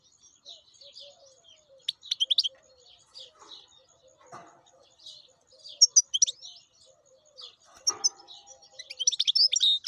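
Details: Wild European goldfinch giving scattered high twitters and chirps in short bursts, two brief rustling knocks, then a lively, dense twittering phrase building toward the end.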